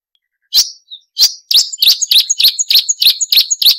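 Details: Marsh warbler, clean training recording with sharp 'nembak' style: isolated piercing notes that speed into a rapid, regular series of sharp, high ticks and whistles.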